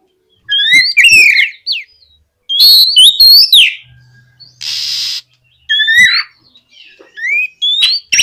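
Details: Oriental magpie-robin in loud, full song, used to prompt other magpie-robins to answer and sing: clear whistled phrases with sweeping, rising and falling notes in bursts separated by short pauses, plus one brief harsh hissing burst and a faint low hum.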